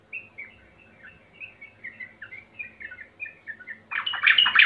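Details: Sooty-headed bulbul, recorded as a lure to prompt other birds into singing. A series of short whistled notes, slurred up and down, repeated about three times a second, ends in a louder, harsher burst of chattering.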